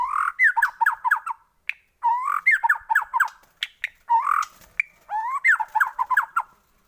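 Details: White-rumped shama song played as a lure for other shamas: repeated chattering phrases, each opening with a rising slurred note followed by quick descending chips, with sharp clicks between phrases.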